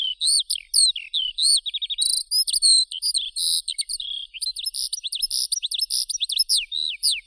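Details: A skylark sings a long, breathless medley of shrill whistles, quick trills and twitters. The pace quickens toward the end into dense, rapid chirping.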